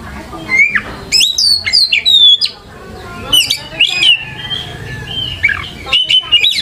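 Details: Oriental magpie-robin (kacer) song played as a lure to get other kacer answering: clear loud whistled phrases sliding downward, rich melodic runs with sharp accents, a brief pause midway, then further whistles and chips.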